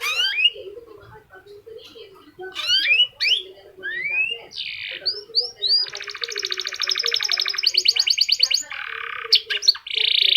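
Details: F1 canary singing a distinctive patterned song used to lure other canaries into singing: bright rising whistled slurs, then long rapid buzzy rolls and stuttering trills, ending in a dense high rattle, with faint low murmuring beneath.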